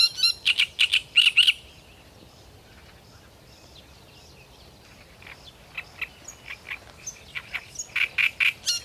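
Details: Great reed warbler singing with abandon: a burst of loud, harsh, grating notes in quick succession, a pause, then a quieter run of short scratchy notes that builds again into rasping phrases.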